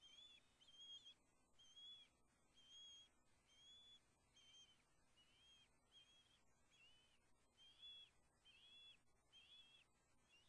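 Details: Osprey at the Hellgate nest cam in Montana on September 2, as the male brings a large fish to the nest. High thin whistled chirps come in short repeated series, faint and distant, with crackling bursts of static.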